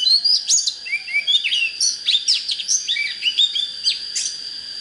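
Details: Oriental magpie-robin in full song, played to rouse birds for fighting with wild decoy birds: a dense run of varied whistles, rapid slurs and sharp chips, continuous and lively, over a constant high-pitched whine.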